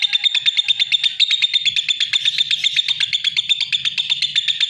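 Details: Loud, scratchy chirping from a lovebird, repeated in quick steady pulses for the whole stretch, with faint low background rumble.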